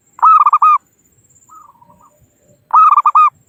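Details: Zebra dove, local wild bird, calling rivals, used as a lure for trapping: a quick rhythmic series of coos ending in a drawn-out note, faint wavering notes in the middle, then a matching phrase near the end.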